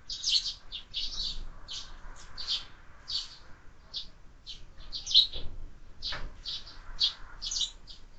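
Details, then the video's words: Sparrows feeding at a feeder fixed to a window, fed all year round: many quick chirps in loose irregular series, some overlapping, with a few soft thumps, likely from movement at the feeder. "Воробьи в кормушке"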